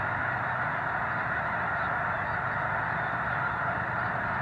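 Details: Huge flock of snow geese, several thousand birds, at a Missouri wildlife refuge during a controlled burn; a steady roar of countless overlapping honks, with no single call standing out.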